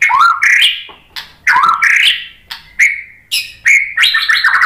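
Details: Bright, varied whistles of a white-rumped shama, used to goad other shamas into singing: rising and falling slurred notes in short bursts about every half second, some rough and buzzy, ending in a dense, jumbled flourish.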